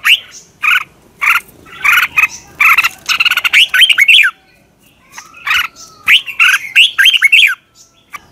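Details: Red-whiskered bulbul morning training song: dense run of short harsh chirps and warbled phrases packed closely for several seconds, a brief pause, then more rapid chattering notes; a second bird may be calling along.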